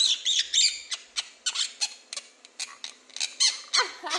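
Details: Family-kept quaker parrot answering a request to laugh with uneven, scratchy chattering pulses, softer and irregularly spaced, some with thin squeaky edges.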